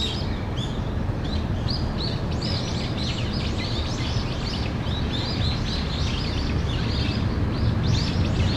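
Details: Early afternoon of 14 October 2015, brown-eared bulbuls give what is read as earthquake-alarm calling: rapid, irregular bursts of short high chirps, roughly four a second, over heavy low-pitched background noise.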